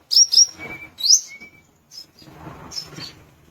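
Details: Sunda minivet giving sharp, very high whistled notes followed by a long thin steady whistle, then scattered faint chips over low background noise.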